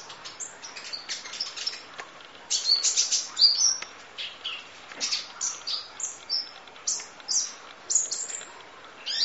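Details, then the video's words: High, twittering song of a kolibri ninja sunbird, recorded as long-running training audio with full 'isian nembak' filling: thin chirps and quick sliding notes that pour out steadily, with a denser run at the start. "Audio Master Masteran Kolibri Ninja Full Isian Nembak Durasi Panjang Kicau Burung"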